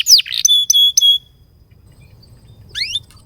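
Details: Canary song used as a tutor and prompt for young and stalled canaries: a few sharp downslurred notes, three clear steady whistles, a pause, then a quick rising double sweep.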